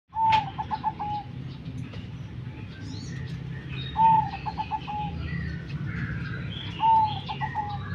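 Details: Zebra dove giving three cooing phrases, each a clear drawn-out note followed by a quick run of short staccato coos, spaced about three seconds apart; faint chirps from other birds and a low background rumble.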